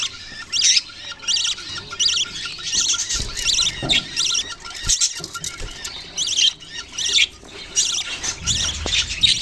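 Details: Chirping budgerigars, separate bursts of fast zigzag warbling notes repeated about every second, with soft rustling and faint low thuds between calls.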